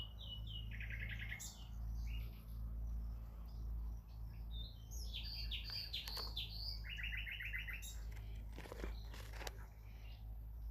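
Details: Nightingale singing a varied song of rapid, stuttering repeated-note bursts, clear whistles and sharp high clicks, with pauses between phrases, over a constant low hum.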